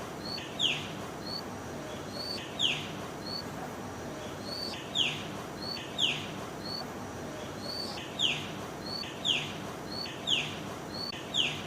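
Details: A bird sings a short, high, sharply falling whistle about once a second, each paired with a softer faint note, against a steady hiss of background noise.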